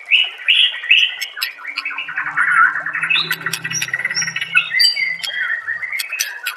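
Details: White-rumped shama master song for prompting other shamas to sing; rich warbled whistles that run on without a break, with a faint low hum underneath partway through.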